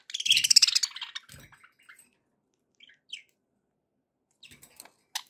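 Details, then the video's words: Happy pet budgerigars give a dense burst of rapid, buzzy chirping at the start, then fall mostly quiet with a few soft clicks and a brief sharp note near the end. "happy budgie sounds"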